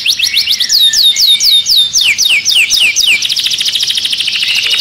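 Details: Caged canary in an agitated state singing loud looping whistles that fall and rise, about three per second, then switching to a fast, dense buzzing trill.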